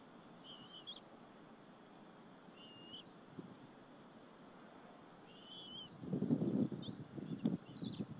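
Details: Bald eagle eaglets and their mother feeding on a squirrel at the nest at Berry College, afternoon of 30 April 2015; three short high whistled squeals, then loud low rustling and tearing as feeding resumes.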